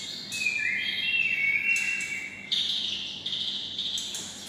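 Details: Kept white-rumped shama, housed near red-whiskered bulbuls, singing in a bulbul-like voice: long clear whistled notes, some gliding upward, then brighter high phrases with sharp onsets, over a faint steady low hum.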